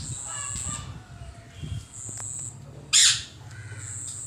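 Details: Green pet parrot making soft whistled chirps, then one short, loud, grating squawk before the sound settles back to quiet chirping.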